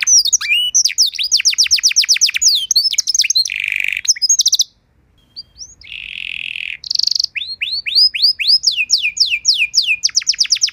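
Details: Training song of a canary meant to teach other canaries; rapid rows of descending whistles, a buzzy roll, a short silent break, a longer low buzz, then quick looping whistled phrases about four per second.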